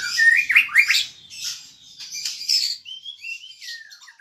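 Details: White-rumped shama, locally murai batu, singing gacor style: a fast, varied burst of harsh, buzzy, scratchy notes mixed with clear rising and falling whistles, ending in a few sliding downslurred whistles, with no other sounds around.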